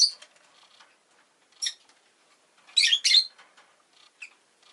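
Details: Rosy-faced lovebird kept as a pet, giving sharp high chirps in short bursts, a loud double squawk near the end, and faint softer chirps between them over a quiet background.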